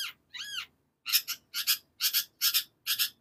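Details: Long-tailed shrike song with a looping whistled phrase followed by five loud, evenly spaced double-pulsed harsh notes, about two per second.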